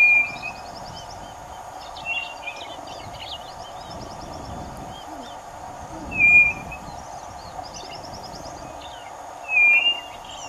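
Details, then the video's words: White-bellied nothura on a roadside in Brazil, song given by a hidden bird while another walks; short flat whistles repeated at irregular intervals of two to four seconds, with other birds chirping and a constant hum. "Codorna-do-Nordeste e seu Canto Encantador"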